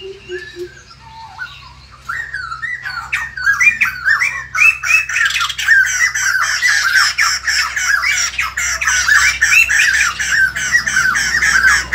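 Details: White-crested laughingthrush greeting the morning: a few soft, separate notes at first, then the bird breaks into a loud, continuous torrent of harsh, cackling, laughing chatter that keeps going to the end.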